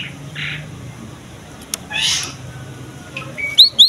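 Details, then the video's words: A Cinereous tit in full song gives scattered high chirps with a soft, raspy burst midway, ending with two sharp, bright notes in quick succession; used to lure and prompt other tits to sing. "KICAUAN BURUNG GELATIK BATU GACOR"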